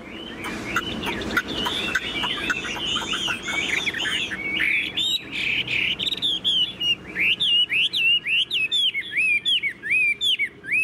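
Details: Tame Chinese hwamei kept in a cage sings energetically: a busy, overlapping warble gives way to a long run of crisp whistled notes, each bending up and down, repeated rapidly with tiny pauses.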